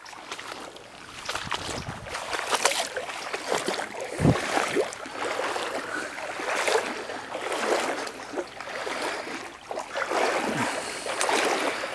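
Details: Splashing and rushing water with a boat or paddle moving through it, wind noise, and no animal voices.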